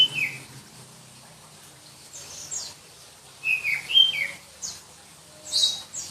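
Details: Oriental magpie-robin of the black-breasted Kalimantan type from Berau, East Kalimantan, giving a few short shrill whistled notes and slurred high phrases separated by quiet gaps.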